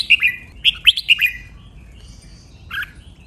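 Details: Red-whiskered bulbul training song, Thai double style, 23 counted phrases. Two sharp, clear whistled phrases run together at the start, followed by quiet and one short buzzy call near the end.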